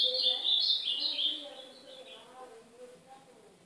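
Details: Northeastern ultramarine grosbeak singing, recorded as a tutor song to warm up a pet golinha; a bright, fast warbled phrase opens and then trails off into quieter, lower scattered notes.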